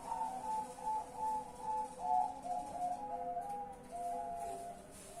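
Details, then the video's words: Night cooing of a zebra dove, the call before roosting to sleep, 10 March 2021. Layered, mellow, flute-like coos repeat quickly in a rolling pattern against a steady hiss of background noise. "BUNYI MALAM PAMIT TIDUR 5x bunyi"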